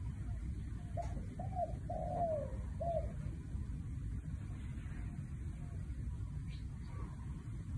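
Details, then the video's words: Spotted dove sounding one '1 kook' style phrase: soft short coos, a long downward-gliding coo and a clipped final note, then only low rumbling background. "1 กุก เพราะๆ ชัดๆ นกเขาใหญ่"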